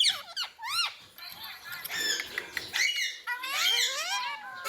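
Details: Ringneck parakeet talking, repeating "mummy" and "papa", with high squeaky upswept syllables and a longer rising, wavering phrase toward the end, recorded indoors.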